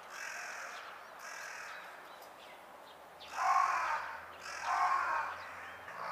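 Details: A carrion crow gives its everyday call: hoarse, rasping caws, several in a row about a second apart, the later ones louder and harsher.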